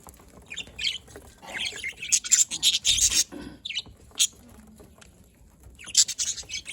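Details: Budgerigars chirping on 27 October 2023, raspy buzzy chatter rising into a loud scratchy burst, then sparse sharp chips and a final flurry of high notes.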